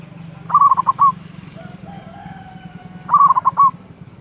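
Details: Local zebra dove with a strong voice calling to provoke a rival, two stuttering cooing phrases about two and a half seconds apart, each ending in a held coo, with a soft low drone and a faint whistle between.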